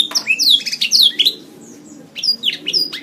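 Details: Canary singing in a training master recording: quick bursts of high chirps and downslurred whistles, then a brief near-silent lull before more sharp, sweeping notes resume.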